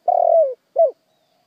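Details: Spotted dove lure song fragment: one long vibrating coo sliding downward, then a short arched coo, then silence.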